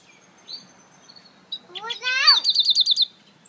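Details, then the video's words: After a few soft thin whistles, an African citril mule breaks into a harsh rising chatter followed by a crisp, evenly pulsed high trill. "Africa citril mule"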